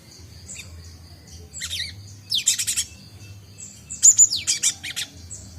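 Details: A cinereous tit (Gelatik Batu) learning its song, having just begun ngombyok chattering; brief high notes, then two bursts of rapid buzzy grating rattles.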